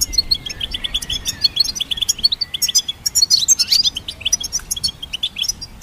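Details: Goldfinch in steady song, presented for songbird training: a continuous stream of sharp, high, rapidly repeated chirps, growing denser and buzzier in the middle before easing into evenly spaced tweets.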